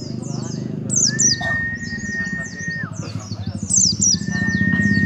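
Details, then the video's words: A white-eye sings with rapid, high twittering and chirped phrases, described as imitating a sunbird's song, over a steady thin tone and low murmuring voices. "Pleci Nembak Kolibri Depan Muka"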